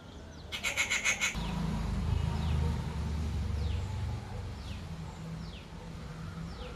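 A rufous treepie gives one quick, harsh, grating burst of about six rasping notes, then a low rumble and faint thin down-slurred whistles.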